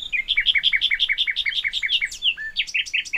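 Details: Common nightingale, which sings by day and night, gives a loud, rapid run of about a dozen clipped, repeated high notes building in strength, then breaks into varied whistles and sharp flourishes.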